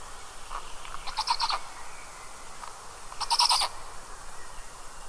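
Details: Two black stork chicks in a camera-monitored nest in Karula National Park, Estonia, 29 May 2022 at 19:40, call in two very different voices: short bursts of harsh, raspy, wheezing calls about two seconds apart over soft hiss; first-hatched sounds duck-like, second like a brook.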